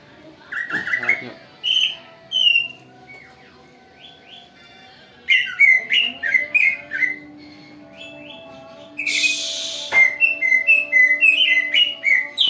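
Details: Greater green leafbird song for luring other birds into responding: scattered whistles and chirps, a quiet gap, then rapid runs of sliding whistled notes, a brief harsh rushing burst, and more quick chirping phrases over a low steady hum.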